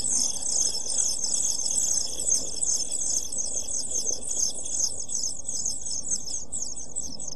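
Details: Seven-day-old pied flycatcher young in a nest box on 23 June 2012 produce an unbroken chorus of sharp, very high chirps, repeated roughly two to three times a second, against a faint constant low hum.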